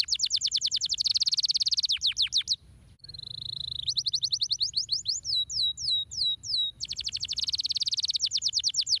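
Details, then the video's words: Stimulating canary song: a fast, rolling rattle-like trill, a brief pause, a held tone, rising notes and looping slurred whistles, then the rapid trill returns. "Uau !! uma vez girando o canário cantando diretamente !!!"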